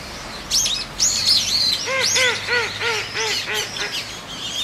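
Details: Eurasian teal on a Kōkū Park pond, 19 January 2023; high whistled chirps at first, then a run of about seven lower nasal quacking notes, each arched and evenly spaced, over layered park ambience.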